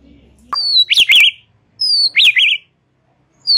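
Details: Relaxed chatter of a white-rumped shama: a clear high descending whistle followed by sharp zigzag warbled notes, the phrase given twice.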